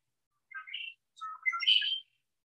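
A red-winged blackbird gives its song: a few short gurgling notes, then a pause and a rising run into a harsh, buzzy trill, all in under two seconds.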